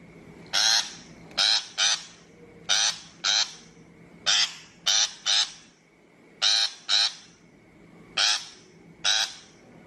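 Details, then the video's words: Loud scratchy shrike notes, about fourteen in ten seconds, mostly in quick pairs separated by short pauses, recorded as a 2023 lure for bird-trap speakers; faint constant high tone behind. "Tiếng chim bách thanh chuẩn mp3 cho loa bẫy 2023"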